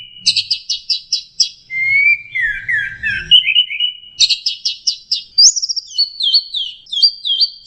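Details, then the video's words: Lure recording of an orange-headed thrush for a stressed bird that has stopped singing: evenly spaced repeated chirps, a lower burbling warble, then another chirp series and high descending whistled notes. "pancingan Anis merah setres dan macet bunyi"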